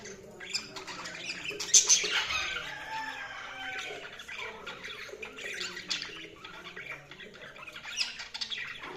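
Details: Continuous budgie chatter: dense, scratchy warbling mixed with quick chirps and squeaks, with a few sharper peaks rising above a steady murmur.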